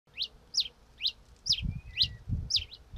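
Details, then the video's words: Red-crested finch song: short sharp high chirps, each a quick downward sweep, repeated about twice a second, with low rumbling thumps beneath in the second half. "O Canto do TICO TICO REI (Coryphospingus Cucullatus) Bird Song - Red Crested Finch"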